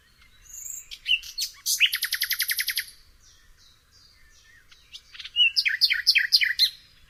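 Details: A nightingale delivers a fast, rattling trill of many evenly spaced notes lasting about a second, falls silent, then resumes with a stuttering phrase of sharp, varied notes.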